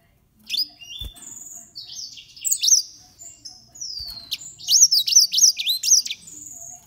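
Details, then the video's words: Green singing finches, thirteen years old, kept as pets; high, lively twittering song of quick rising and falling whistled notes and trills, phrases run together over several seconds in a quiet room. "Green singing finches"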